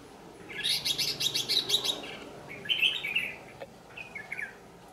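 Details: Red-whiskered bulbul of the white-cheeked ché style, recorded while being trapped: a rapid run of sharp chattering notes about a second long, then a few clear whistled phrases and softer trailing notes over low background noise.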